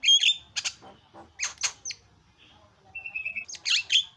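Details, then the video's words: Javan myna (jalak kebo) singing noisy isian material for bird tutoring: a bright whistle, scattered harsh squawks and clicks, a steady pulsed trill, then dense screechy chatter. "SUPER BERISIK JALAK KEBO SUARA ISIAN"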